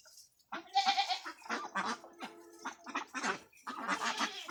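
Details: Farmed ducks calling together, rough broadband quacks in quick runs of short bursts, some with a steady nasal tone, overlapping after a brief quiet start.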